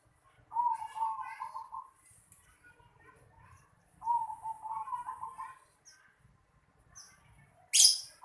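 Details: In a home yard, a zebra dove gives two rolling, slightly quavering coo phrases a few seconds apart, over faint background rustle, ending with a short sharp noise.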